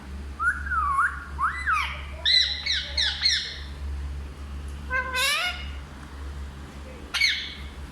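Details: Talking parrot producing varied speech-like sounds in Hindi: wavering harmonic phrases, a quick run of choppy syllables, then two sharp rising squawk-like notes, set against a low droning hum.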